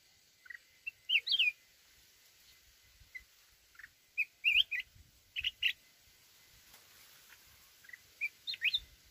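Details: Red-whiskered bulbul from the mountains singing in a forest voice: short, irregular bursts of clear, looping whistled notes and chirps, scattered across several seconds with brief silences between, with faint low knocks in the background.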